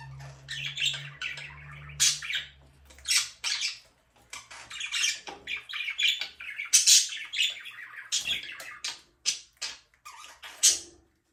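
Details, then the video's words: Budgerigar chattering in a small room: dense, scratchy chirps and sharp squawks tumbling one after another with brief gaps, over a low electrical hum early on. "budgies parrot chirping sound"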